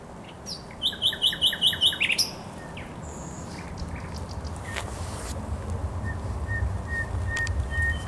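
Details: Thrush nightingale song on 24 April 2022 by the Żerań Canal: a quick run of repeated knocking, chopped notes lasting about a second and a half, followed by faint scattered notes over low rumbling background noise.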